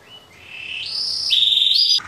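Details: Male canary, Yorkshire or Waterslager breed, singing loudly as the days grow longer: sustained pure whistled notes climbing in steps, then a louder, higher pulsed trill-like phrase near the end, with a clean background.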